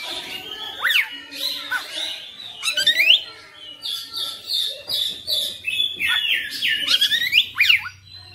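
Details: Oriental magpie-robin singing hard through its full repertoire (bongkar materi), with sharp upward-swept whistles and fast chattering phrases alternating with steady high notes over a faint low hum.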